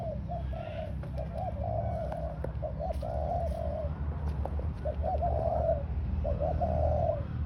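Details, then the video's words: Spotted dove used as a ground decoy, delivering a run of hoarse, low cooing phrases about four notes per second over a deep continuous hum, with faint ticks overhead. "Cu gáy mồi đất"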